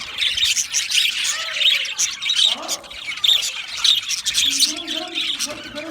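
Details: Budgies chirping in a flock, high scratchy twittering throughout, with softer lower warbled notes and gliding whistles weaving underneath.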